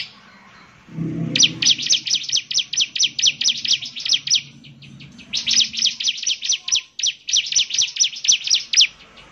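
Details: Bar-winged prinia singing actively. A brief low rustle comes first, then two long bursts of quick, high, clipped chirps, separated by a short pause and ending in a further run.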